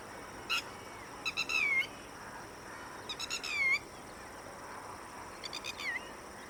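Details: Red-wattled lapwing (Vanellus indicus), call.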